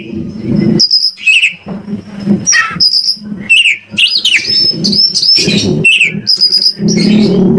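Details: White-rumped shama from Indonesia singing as a lure to get other shamas to reply: loud looping whistles and slurred notes over a steady low murmur in the background.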